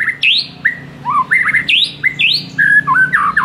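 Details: White-rumped shama master song, played to rouse a silent shama: varied loud whistled phrases, some rising sharply, others slurred downward, mixed with a few harsh notes in quick succession.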